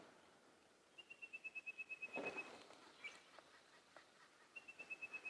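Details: An Orange-breasted Bushshrike, seen hopping in bush and called "her", gives two quick runs of eight or nine high, even, clipped notes on a South African sunrise drive, 28 August 2016, with a brief rustle and faint background sounds between.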